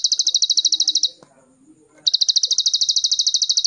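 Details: Plain prinia from Cililin, recorded as a master song for training songbirds. Quick high chipping trills sound before and after a one-second gap, which holds faint low background noises.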